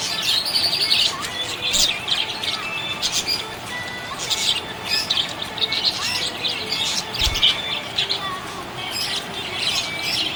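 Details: Budgie in a happy mood giving a busy run of high chirps, squeaks and warbles that come in bursts roughly every second, with short whistled glides between them.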